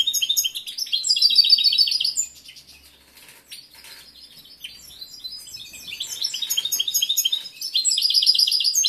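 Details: Caged male European goldfinch in breeding condition, a competition bird with a large repertoire, singing loud rapid twittering phrases of repeated high chirps and trills, a quieter stretch in the middle, then strong song again.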